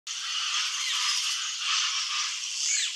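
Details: Red-rumped caciques, a species that weaves bag-shaped nests, give a dense, harsh, rattling chatter that runs unbroken for three seconds, with faint whistled notes woven through it.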